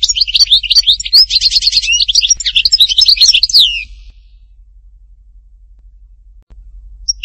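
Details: Goldfinch song at Htatba, Tipaza: about four seconds of dense, rapid twittering with buzzy trills and slurred whistles, then quiet.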